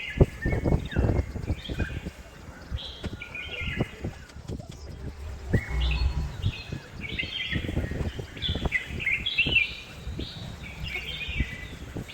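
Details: Red-whiskered bulbul calling in a home garden at Hosur: lively runs of short, clear whistled notes in rapid phrases, over steady low background rumble and occasional thuds.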